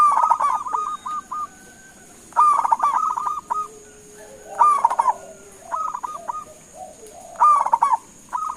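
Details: Local zebra dove calling to draw other birds into answering: stuttering, bubbly cooing phrases of short notes ending in a trill, repeated roughly every two to three seconds, with faint overlapping coos between and a steady thin high whine behind.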